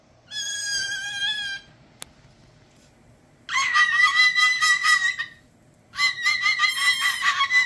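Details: A male umbrella cockatoo, taught this sound by his owners, gives three loud, harsh, ringing screeches of one to two seconds each with short pauses, and a sharp click between the first two; this is quieter than his usual screams.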